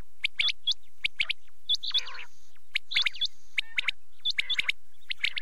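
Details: Night calling of quail: sharp, clipped high notes in quick groups of two and three, with a longer buzzy rasping note near the middle and short gaps between bursts.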